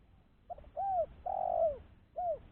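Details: Spotted dove cooing, used as a lure call for catching doves: a short coo, a falling note, a longer sustained coo sliding down at the end, then another falling note, with soft low background noise outdoors.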